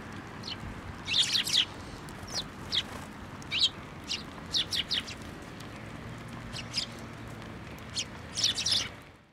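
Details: Sparrows coming to a bench to be fed at a Tenmangu shrine, 14 November 2023: short high chirps in scattered bursts, several overlapping around one second and near eight and a half seconds, over steady low background hum.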